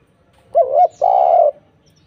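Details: A spotted dove in full voice, recorded as a lure to make other doves sing back, gives one deep two-part coo: a short wavering note followed by a longer, steady, mellow one.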